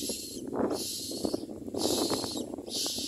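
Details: Common myna young being fed by a parent, uttering softer breathy hissing begging notes in three spaced bursts, with rustling and low background noise throughout.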